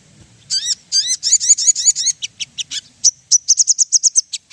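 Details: Ruby-throated bulbul song played as a lure to make birds sing: high chattering notes, a burst of rapid repeated upswept phrases followed by a quicker series of short sharp chips.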